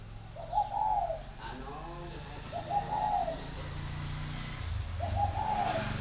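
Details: Three mellow, slightly rising-then-falling coos from a caged spotted dove, Ba Vì district of Hanoi, Vietnam, spaced about two seconds apart, with a soft rumbling hum and low background noise throughout.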